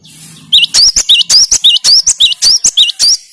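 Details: Cinereous tit (gelatik batu) song: loud, rapid series of high, sharp whistled two-part notes, each a quick rising-falling flick, repeated about a dozen times in three seconds over a faint low hum.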